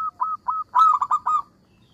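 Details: Local zebra dove (perkutut) singing sweetly to make opponents respond: a few short mid-pitched cooing notes, then a louder rolled cluster of four notes.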